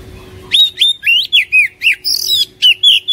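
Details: Song of an Oriental magpie-robin played daily to prompt a lazy caged bird to sing: a steady string of about ten loud, sweet whistles, rising and dipping, delivered almost without pause over three seconds.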